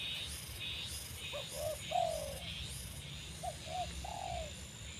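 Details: A newly acquired Spotted Dove, kept caged beside an older dove to train it to call on a perch, gives two soft, low cooing phrases of three notes, the last longer and falling, over insect buzz.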